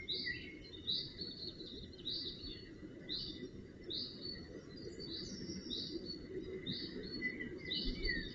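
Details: Northern goshawk fledglings being cared for at the nest, 4 June 2018, Netherlands, give thin, high, slightly rising chirps about every two-thirds of a second over a steady low rumble.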